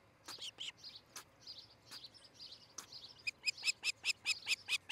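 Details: Osprey nest in Charlo, Montana, early morning of 13 July 2018: scattered softer chirps, then a clear, accelerating row of sharp high whistles about three per second.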